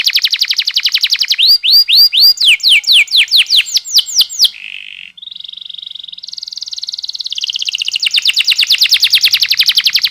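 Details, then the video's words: Canary lure song for young birds, long rolling style: quick repeated trill, then swooping whistled tours, a low buzzy roll, and finally a long dense rattling trill that builds in volume. "MASTERAN Kenari Paud CEPAT Bunyi‼️ Pancingan KENARI GACOR DURASI Panjang Ngerol"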